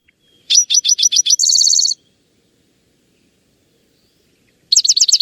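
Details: A bird tentatively identified as a Spotted Towhee, seen in a yard, gives five quick, high chipping notes that run into a dry, buzzy trill. A second burst starts near the end. No other sounds.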